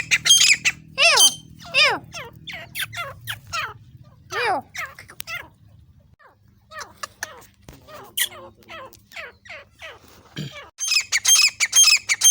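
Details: Grey francolin in Pakistan giving loud, shrill, harsh calls in quick, uneven bursts of falling, squawky notes.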